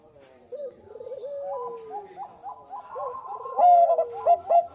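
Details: Zebra dove of the Bangkok type, recorded as a lure: soft trilled coos glide downward, then build into louder rhythmic clipped coos repeated about four times a second.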